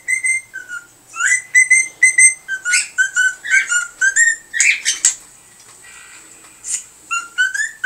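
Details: A pet cockatiel gives bright, repeated whistled notes and chirps while listening to recordings of other cockatiels and trying to mimic them in its own way.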